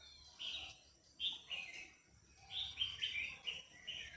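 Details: Female red-whiskered bulbul singing to stimulate a male, distant and faint: a string of short whistled and chirping notes repeated about every half second over background hiss.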